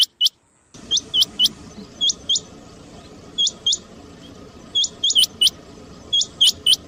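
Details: Rain quail calling, a sound used to lure quails for trapping: sharp, high, metallic notes in quick pairs, repeated about every second, over a steady low hiss.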